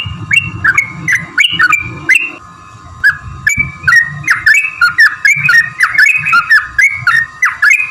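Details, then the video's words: Bulbul song used to provoke other trucukan to answer: cheerful whistled phrases, first spaced, then rapid and tumbling, with a low background murmur. "trucukan gacor TARUNG ROPEL PANJANG pancingan trucukan agar bunyi jadikan burung trucuk NYAUT gacor"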